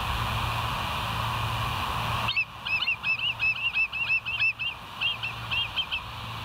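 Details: Bald eagle on a live nature cam, 24 September 2023, 06:59: sudden rapid high chittering, a fast string of short piping notes running for about three seconds, after a stretch of hiss and low hum.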